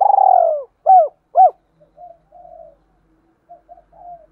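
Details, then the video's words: Decoy spotted dove giving a calling phrase to attract others. It opens with a long sliding coo, then two sharp arched notes, then trails off into several faint low murmurs. "Chim Cu Mồi/ cu gay kich boi nhanh noi thúc gáy gọi"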